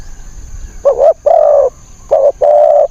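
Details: Spotted dove used to lure wild birds gives two paired phrases of cooing, each a short clipped note followed by a longer rounded mid-pitched coo, clear against light hiss.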